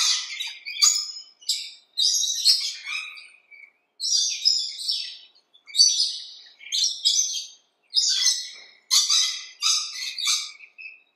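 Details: Choppy series of shrill, rasping shrieks from rainbow lorikeets in a backyard, short bursts clustered in groups separated by one-second silences.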